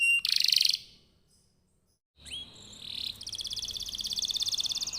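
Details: Canary song used as a lure for other canaries: a short buzzy burst, a pause of near silence, then a long even trill of quickly repeated notes over faint background noise.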